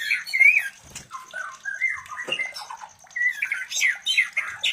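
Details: White-rumped shama mating sounds intended to excite other shamas to breed; harsh squawky chatter and short scratchy slurs mixed with softer whistled fragments and a few clicks.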